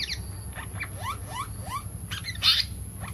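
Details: Asian paradise-flycatcher, used as a lure call for trapping, gives quick rising, slurred whistled notes about twice a second, then a harsh scratchy burst, over low rumble and a steady high hiss.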